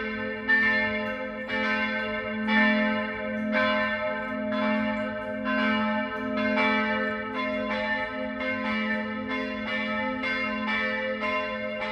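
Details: Church bells ringing in Bergen, Norway, in late September, with steady repeated strokes about once a second and no animal sounds heard.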